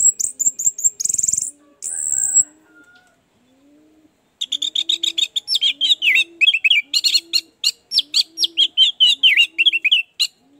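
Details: Orange-headed thrush lure song for stimulating a bird that is reluctant to sing: after brief high chirps and a quiet gap, a long, lively stream of varied rising and falling whistles and chips, backed by regular low cooing.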